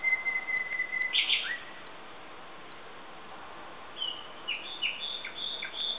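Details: Common nightingale singing: a long steady whistle, then a rich burst and a gap, followed by a string of quick, varied chirps and short rising notes after a quiet pause.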